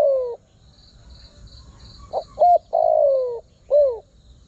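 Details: Spotted dove lure call for drawing wild birds. A falling coo tail is followed by a pause with a soft pulsing high trill, then a full phrase: two short notes, a long descending coo and a final downward-bending note.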